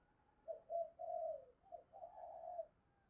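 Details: Decoy spotted dove luring wild birds: a soft low coo phrase of short notes then a drawn-out, slightly wavering tone, heard at a distance.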